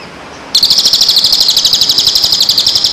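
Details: Training song for moulting and post-moult birds: a sudden, sustained, very high buzzy trill of fast pulsed notes running steadily to the end.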